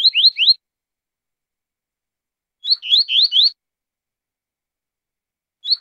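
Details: Double-collared seedeater giving the tui-tui zel-zel song type: fast groups of three or four high rising-falling slurred notes, repeated after pauses of about two seconds, in silence otherwise.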